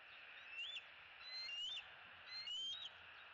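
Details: Two juvenile bald eagles in Southwest Florida on 7 April 2018, early morning, about to fly together across a street to a tree near a pond. Three thin, high whistled chirps, each sliding up then down, about one per second over steady hiss.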